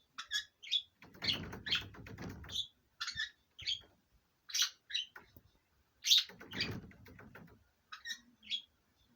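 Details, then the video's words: A pair of pet budgerigars in courtship, both birds male, giving sharp chirps and warbled chattering notes in short bursts with brief pauses, and soft rustling between calls. "鳴き声 求愛 セキセイインコ"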